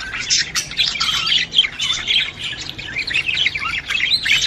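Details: Budgerigar mating call to encourage the female to breed: steady, dense, rasping warble of overlapping chirps and squawks with little pause from start to finish.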